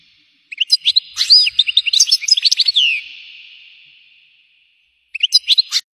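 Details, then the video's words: Batbata-style song of a European goldfinch: a long run of quick, bright, tinkling twitters and slurred chirps for about two and a half seconds with a reverberant fade, followed by a short final twittering flourish. "بتبتة صوت رهيب لطائر الحسون"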